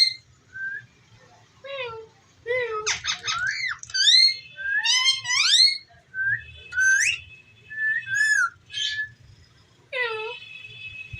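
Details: Indoor talking ringneck parrot producing a varied string of whistles, squeaks and buzzy upswept notes, bunched into short phrases with brief silences, ending on a falling whistled note.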